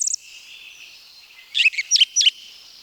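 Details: Song Thrush of the forests of Wielkopolski National Park, Poland, recorded 1990: a brief high note, a pause, then three sharp, repeated downslurred whistled notes in a short cluster.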